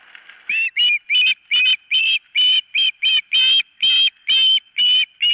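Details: An osprey calls from its nest, nest camera, morning of 4 September 2023: a series of clear, shrill, whistled yelps that grows louder, roughly two or three per second, with a faint constant tone behind.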